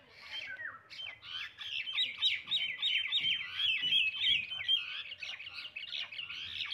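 Common myna giving a fast, varied run of chattering, whistled and squawky notes, about three per second, mostly high-pitched and slightly scratchy.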